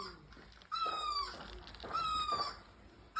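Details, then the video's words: Near a bougainvillea in full bloom, a bird gives two drawn-out, harmonic-rich calls that sag slightly in pitch, spaced about 1.2 seconds apart, a third just beginning, with soft rustling background noise. "Bird chirping"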